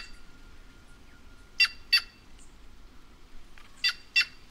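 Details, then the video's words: White-naped jay giving two pairs of harsh, raspy, broadband calls, each pair a quick double note about a third of a second apart, separated by a quiet stretch with a faint thin whistle. "Canto da Gralha Cancã Cyanocorax Cyanopogon"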